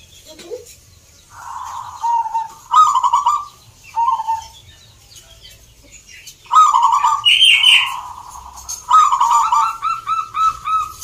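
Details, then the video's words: Competing zebra doves at a contest in Salatiga, Central Java, Indonesia; short rolling coos rise and break off in bursts, several birds overlapping, with a higher chirping bird and wing flutters mixed in. "Perkutut gacor door"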